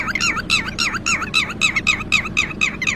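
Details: Red-wattled lapwing giving its alarm call after losing its chick: a rapid run of sharp, wavering, nasal notes, about four per second, over steady low background hum.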